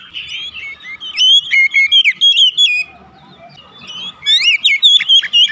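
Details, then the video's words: Oriental magpie-robin song used to lure other birds into singing, from a house-kept bird: varied clear whistles in quick bursts, slurring up and down, with a softer warbling pause between the phrases. "terapi pancingan Kacer tanpa mengenal waktu | Kacer rumahan pasti gacor"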